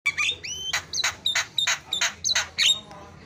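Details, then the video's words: Javan myna song used as a training recording with fill-in phrases. Harsh, broad squawks come about three per second, with a clear rising whistle early on and a softer low rumble underneath. "KICAUAN JALAK SUPER MANTAP"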